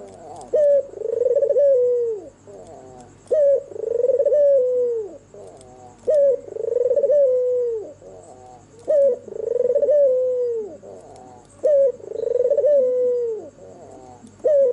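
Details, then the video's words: Red-eyed albino white turtle dove singing at night, its sweet song a steady series of about six phrases, each a crisp first note and a long quavering coo falling at the end, roughly every two to three seconds, over a faint hum. "SUARA MERDU BURUNG PUTER PUTIH MATA MERAH MANGGUNG DIMALAM HARI"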